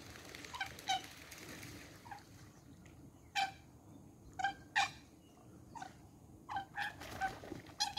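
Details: Fighting coots on the Sankey Canal near Fiddlers Ferry, trying to drown each other, give loud abrupt barking notes, some doubled, scattered irregularly amid water noise.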